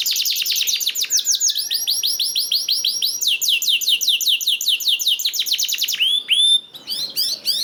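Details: Canary song intended to get other canaries singing: dense fast trills of high downslurred notes shifting through several speeds, ending with a clear upward whistle and scattered chirps.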